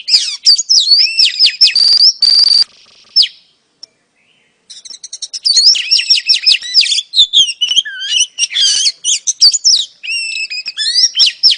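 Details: Female oriental magpie-robin calling to lure a male: dense, fast strings of high whistled and chirping notes, a sustained whistle near the start, a one-second silence, then another long varied burst.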